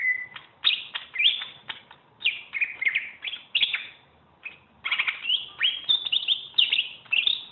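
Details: Greater green leafbird, champion bird used as a song tutor, pouring out a continuous varied medley of sharp rising whistles, chips and buzzy slurs in short bursts, with little pause between phrases.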